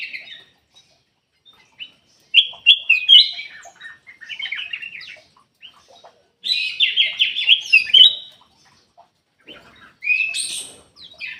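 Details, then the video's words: Golden-fronted leafbird giving loud, varied warbling phrases in three separate bursts, each a rich jumble of chattering, slurred whistles and twittering notes, with brief silent pauses between them. "KUTILANG EMAS \ CUCAK EMAS SUARA ASLI SUARA JERNIH"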